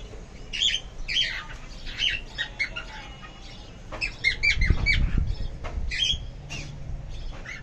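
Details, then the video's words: Lovebirds chirping on an evening among greenery. Sharp, squawky chirps come in irregular bursts with short pauses. A low rumbling and rustling sound rises in the middle. "Love Birds Chirping"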